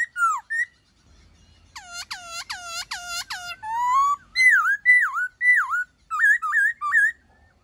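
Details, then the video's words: White-cheeked laughingthrush in 'giọng rừng' (forest-voice) song, used to train captive birds: loud, varied whistled phrases, first a burst of stacked rising-falling notes, then looping downslurred and upslurred whistles about two per second, in a quiet setting. "Khướu Hót giọng rừng"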